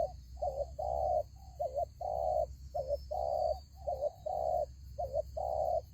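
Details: Spotted dove used as trap lure, calling steadily with alternating short notched coos and longer flat coos, roughly one per second, against a faint low hum.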